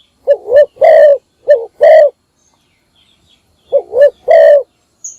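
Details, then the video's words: Decoy spotted dove giving its morning lure call: two back-to-back phrases of a bouncy double coo plus a long hoarse coo, a pause of nearly two seconds, then one more phrase; loud, otherwise quiet. "นกพิราบดัง birds - เสียงนกร้องตอนเช้าเพื่อเรียกนกของคุณ"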